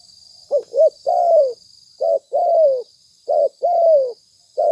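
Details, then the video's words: Spotted dove lure cooing, three phrases in close succession. Short soft notes precede each long, gently descending coo, and a thin insect buzz runs underneath. "Suara tekukur pikat mp3 gacor"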